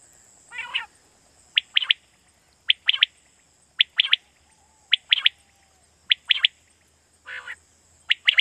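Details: Quail heard in Pakistan, a lure recording for night hunting: bright, sharp three-note phrases, one note and a quick pair, repeated about every second, with two lower, rasping notes and a steady background hiss.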